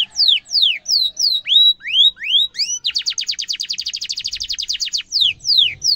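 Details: Lively canary singing, used to train young canaries: sweeping whistled notes falling and rising, then a long rapid rolling trill of high repeated notes, closing with slower falling whistles.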